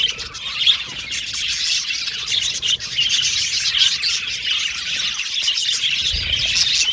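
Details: Group of Australian budgies chattering contentedly, steady high tweeting and warbled trills layered together, a few brighter whistled notes standing out above the constant chorus.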